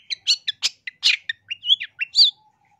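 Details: Masteran song of a persistently singing long-tailed shrike, recorded for teaching caged birds and luring: a quick string of scratchy chirps, then several rising and falling whistled slurs, ending in near quiet.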